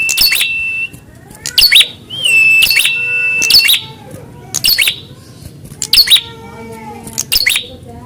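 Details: In a mental test of fighting spirit, a prinia answers a rival with rapid, piercing chip notes repeated roughly every second, broken by a rising then level whistled note lasting about a second.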